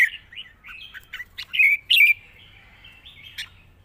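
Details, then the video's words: Red-whiskered bulbul singing wild-style with long phrases and a light voice: soft scattered notes leading to two loud, slurred whistled phrases, then a faint fading warble. "เพลงป่าๆ สำนวนยาวปากเบา ฟังเพลิน#นกกรงหัวจุก"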